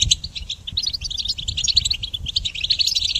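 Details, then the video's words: A goldfinch pours out song for training songbirds, starting with scattered chirps, then building into a dense, fast twitter of ringing notes and short trills. "Harmonious Connection Motivation in Goldfinch Song Training"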